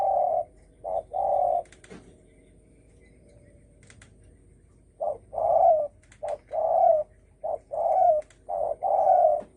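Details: Provoking call of a spotted dove in thổ sấm style. A pair of deep coos opens, then a quiet pause of about three seconds. A dense burst of short-long coo pairs follows, with a few soft clicks.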